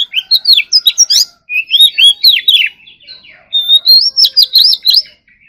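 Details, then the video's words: During morning singing practice, a caged Oriental magpie-robin pours out quick whistled notes, about four per second, mixing downslurs and sharp chips, then a long rising whistle followed by bouncing repeated phrases. "choè than hót đấu"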